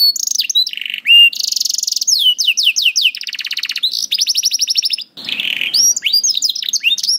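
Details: Canary song used to teach young canaries and coax silent ones: dense trills, whistled sweeps and buzzy rolls in quick succession, with a short noisy rasp near five seconds.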